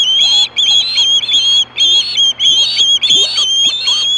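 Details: At Hellgate in 2014, 4:19 PM, an osprey screams for fish with about ten shrill whistled calls in quick groups, short gaps between them, accompanied by faint lower sliding notes and a steady hum.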